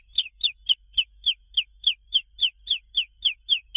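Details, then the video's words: Chicken chicks peeping continuously: high, thin, downward-slurred peeps repeated about every quarter second in an even rhythm, clean with no other sounds. "SONS DE PINTINHO"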